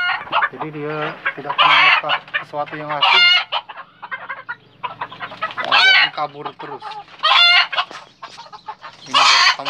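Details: Red junglefowl and Brugo roosters crow repeatedly: short, harsh, stuttering cock-a-doodle phrases every couple of seconds, with clucking and faint voices in between.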